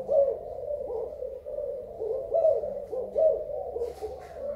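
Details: Low cooing of a spotted dove from Thailand, dated 24 February 2019; rounded, hollow coos repeated in loose phrases, with brief faint rustling near the end.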